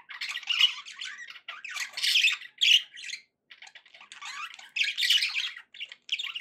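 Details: Indoor pet budgerigars chattering in rough, buzzy bursts of squeaky warbling and squawks, with a short silence midway.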